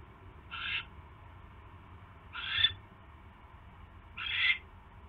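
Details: Nesting owl around a mouse delivery on the evening of 29 January 2016, giving three short breathy screeches spaced nearly two seconds apart against a steady low background hum.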